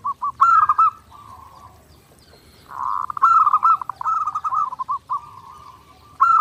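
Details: Zebra dove in full song, clear master recording meant for daily training: low cooing phrases broken into quick stuttering pulses, sometimes ending in a drawn-out coo, about three phrases in six seconds with quiet gaps.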